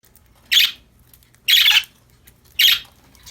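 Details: Happy budgerigars playing and chirping: three short, harsh, noisy chirps about a second apart, bright and high, in a quiet indoor room.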